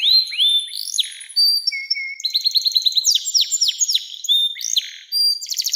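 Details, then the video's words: Canary singing a long 'nembak' style song, used to prompt young canaries to sing and as a master for other birds: rapid sequence of clear rising whistles, sharp downslurred notes and quick buzzy trills, high-pitched and continuous. "SUARA KENARI NEMBAK PANJANG‼️cocok buat pancingan kenari muda dan masteran burung"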